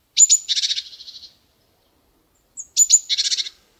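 A chickadee gives two chick-a-dee calls about two and a half seconds apart: sharp high notes, then a run of eight to ten rapid buzzy dee notes.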